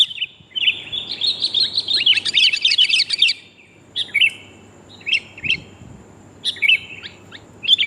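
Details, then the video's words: A female sooty-headed bulbul calls for the male, used for luring birds: a dense scratchy twittering phrase for three seconds, followed by short separated chirps and brief note pairs. "kutilang betina memangil jantan"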